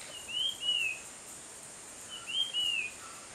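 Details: Tickell's Blue Flycatcher, probably a male of a pair, perched on a cactus in Konkan, gives two clear, high whistled phrases of sweet slurred notes about two seconds apart over a faint steady hiss.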